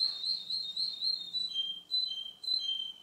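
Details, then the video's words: Russian canary male in song, two months later than before: a high warbling trill of rapid pulsed notes, then lower steady whistles broken into short repeated phrases. "RUSSIAN CANARY-РУССКАЯ КАНАРЕЙКА"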